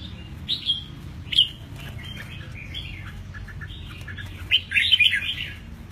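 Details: Caged red-whiskered bulbul, eight months old and freshly moulted, sings in short bursts of clear whistled notes around the middle-high range, with a quiet gap between an early pair of phrases and a louder run of warbling notes near the end.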